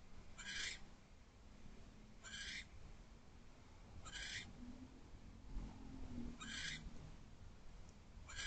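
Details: Barn owl on a nest box perch at night, 10:48 pm on 15 January 2024; five brief raspy hissing screeches repeated roughly every 1.5 to 2 seconds, with low hum behind.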